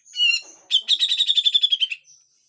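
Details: A Grey-cheeked bulbul sings harshly: a drawn-out wavering harmonic note, then a rapid string of about twelve rasping notes packed into just over a second, ending with a thin high whistle.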